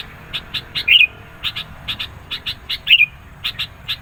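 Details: Sooty-headed bulbul singing insistently, a recording meant to challenge rivals and attract birds; two brief slurred warbling phrases about two seconds apart, surrounded by many quick, evenly spaced dry chip notes over low hiss.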